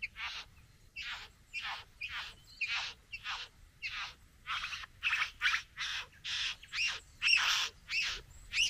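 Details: Satin bowerbird courting a female at the bower. It gives harsh, buzzy, rasping notes, repeated steadily about twice a second, and they grow louder and denser toward the end.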